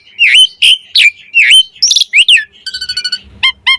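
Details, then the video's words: Singing Asian pied starling, 'mompa' variations meant as a tutor and lure for other starlings: looping dipping whistles, a couple of rising slurs, then a rapid buzzy stutter and short clear notes. "Suara Jalak Suren Mompa Variasi AMPUH Buat Masteran & Pancingan Burung Jalak"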